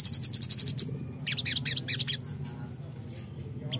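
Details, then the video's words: Lure song of a crimson sunbird, meant to make untrained birds answer at once: a fast row of about nine high, evenly spaced ticks, then a jumbled burst of sharp, twittering notes over a faint low hum. "pancingan ampuh sogon bahan langsung nyautt"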